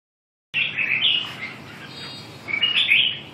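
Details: Red-whiskered bulbul singing: two bursts of bright warbled phrases, the second after a short pause, over a faint background hiss.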